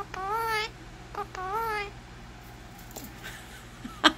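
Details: An Indian ringneck parakeet talking: two wavering, harmonic, voice-like phrases in the first two seconds, then near quiet with a faint click and a sharp tap near the end.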